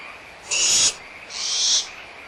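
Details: Barn owlets squabbling over leftover food at Audubon Starr Ranch Sanctuary, April 2011: two coarse hissing screeches in close succession, under half a second each, set against a faint, even frog chorus.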